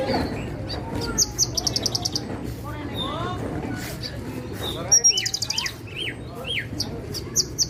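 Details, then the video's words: Parva-type Javan bushlark delivering quick high chipping runs and sharp upward-hooked whistled notes, repeated in bursts with brief pauses, over a constant low background drone. "Suara Burung Branjangan Parva"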